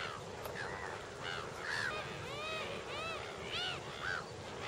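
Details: Lesser flamingos in a flock at Lake Nakuru, Kenya, summer 2011: a murmur of many soft, short, arched honks and chattering calls from numerous birds, with a steady background hum of the flock.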